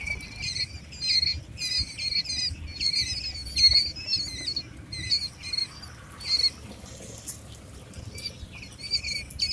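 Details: Quail chicks eight days old giving rapid high-pitched peeping chirps in irregular bursts, several overlapping, with soft scuffling and rustling in the background.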